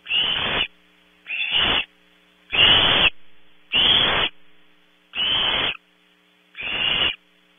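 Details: Barn owl owlets competing for prey at night in a nest box at Audubon Starr Ranch, California. Six loud, raspy, breathy screeches arrive about every 1.2 seconds, each roughly half a second long, with mains-like hum behind.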